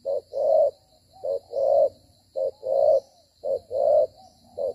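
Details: Decoy spotted dove in a trapping session, fighting and moving as it coos; paired coos, a clipped note followed by a drawn-out hollow one, recurring roughly every one and a half seconds over a faint high background hiss.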